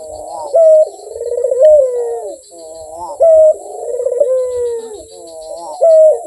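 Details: Barbary dove cooing steadily and melodiously: a low rolling, purring coo with a brief pulsed middle, followed by a smooth falling note, repeated roughly every two and a half seconds in a quiet indoor setting.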